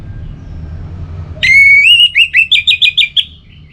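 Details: Orange-headed thrush, relaxed song: a long, clear, rising whistle sharply followed by a fast string of about eight repeated looping whistled notes, set against faint low background noise.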